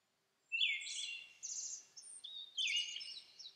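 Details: A Siberian thrush, an uncommon summer visitor, in Urahoro, Hokkaido, Japan, on May 24, gives two short phrases about two seconds apart, each a clear whistled note then a thin, high twittering trill, in quiet surroundings; call.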